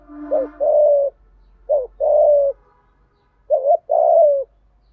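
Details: Repeated spotted dove coos, played to train and stimulate decoy doves. Three phrases of a short looping double note and then a sustained, softly sliding coo come about every second and a half over a low steady hum.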